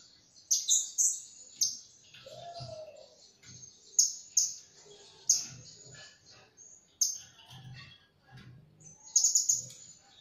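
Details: Piercing high, sharp call notes from a blue-crowned hanging parrot, a lure for trapping, given in short separate bursts every second or so, some doubled, with one lower slurred note and faint low thumps beneath.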